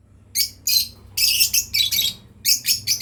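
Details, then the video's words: Lovebirds from a breeding pair chirping: short shrill buzzy notes in clusters of two to four, separated by brief pauses, with a quiet low background hum. "Lovebirds chirping sound"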